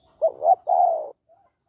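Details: One close, clear spotted dove phrase in 'hạp bổi' style, aimed at getting males to call quickly: two quick hollow coos followed by a sustained, gently falling coo, with no other sounds.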